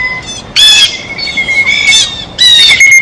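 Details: Brief burst of blue jay squawks at a feeder: two or three harsh, nasal calls with a softer steady tone between them.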